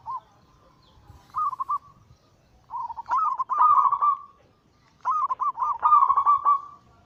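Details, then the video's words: Perkutut zebra dove used as a calling lure, cooing in bursts: brief quiet coo notes, then two long, loud, rapidly quavering phrases separated by a short silence. "Masteran Pancingan harian burung perkutut Anggungan paling ampuh langsung emosi gacor"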